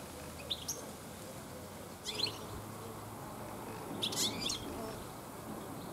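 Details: Garden European goldfinches in late afternoon: a few sharp, high tweets followed by a richer burst of jingling twitter notes, short and separated, over a faint low hum.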